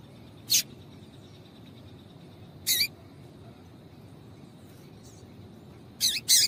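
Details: Female Double-collared Seedeater giving calls to stimulate a male: sparse single high chirps about two seconds apart, ending with a quick double chirp, over a faint constant high tone.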